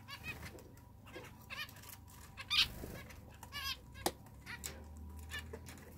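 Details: Zebra finch giving scattered nasal, harmonic beeping calls spaced a second or so apart, mixed with sharp clicks and rustling noises and a low background hum.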